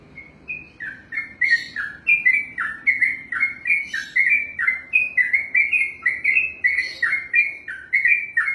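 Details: Sooty-headed bulbul kept and trained for song competitions, delivering a lengthy 'ropelan' run: quick repeated bubbly phrases, each dropping then lifting in pitch, some with sharper high accents, building after a soft opening.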